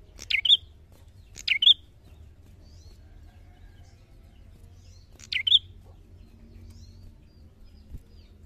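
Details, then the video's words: Lively gacor narung singing from a bar-winged prinia, known locally as cemplik prenjak: three sharp two-note phrases, a quick dropping buzz then a thin high whistle, the first pair a second apart, the last after a long gap, over soft hum. "Suara Cemplik cemplik prenjak gacor narung!"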